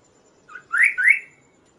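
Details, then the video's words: Kaso-kaso bird singing for use as a master song and lure for other birds: one short low whistle, then two loud upslurred whistles close together. "suara Burung Kaso-Kaso gacor"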